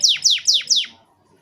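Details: Short canary song burst for prompting young birds to sing. Four loud whistled notes, each sweeping steeply downward, come about every quarter second, then silence.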